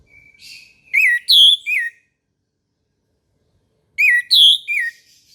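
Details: Morning song of an orange-headed thrush: a quiet thin lead-in, then a loud three-note whistled phrase, repeated after about three seconds.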